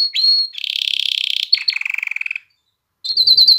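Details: Canary song meant to arouse females for mating and to encourage chicks to sing: a high whistled note, then a long rapid buzzy trill, a shorter lower trill, a pause, then a quick rising-and-falling warbling roll.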